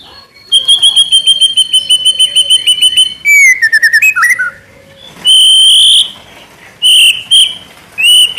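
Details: Murai batu, the white-rumped shama, repeating a high steady whistled note in a fast even series, then descending warbles and long ringing whistles.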